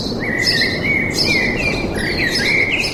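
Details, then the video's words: Birds singing in a forest: drawn-out whistled notes in a mid-high band run almost continuously, overlaid by sharp higher chirps near the start, middle and end, against a soft steady background hiss. "Пение птиц в лесу"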